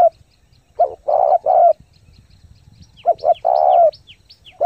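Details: Spotted dove decoy in rapid 'thúc gù' cooing for stirring lure birds and training new doves: two phrases of short coos and a long rolling coo, while another small bird gives quick descending high chirps.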